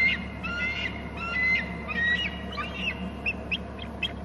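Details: Two Hornby Island bald eagles screeching from their nest territory while a third eagle arrives from inland; several shrill, stuttering chatter phrases give way to short, fainter piping notes against a constant low background rumble, recorded by nest camera.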